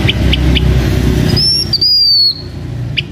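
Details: Blue-winged minla from Vietnam, a decoy bird of a Hmong owner, giving its lure song: one clear high whistled phrase that slurs upward, then drifts slowly downward, after a few short chirps, with steady low hum underneath.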